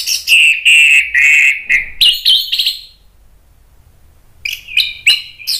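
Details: Agitated orange-headed thrush (anis merah) song meant to provoke other birds to sing: loud, fast, tumbling run of varied whistled and scratchy phrases, a short pause, then another bright rapid burst of warbled notes.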